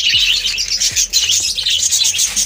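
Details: Budgies in a breeding colony of 25 pairs, with nest pots holding chicks and eggs: a dense, continuous chatter of high, scratchy chirps and warbles from many birds at once, with a few low thumps.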